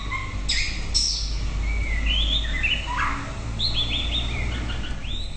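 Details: White-rumped shama song: sharp high notes, then a flowing series of rising and falling whistles, a lower liquid phrase, and a run of short repeated whistles, over low steady hum.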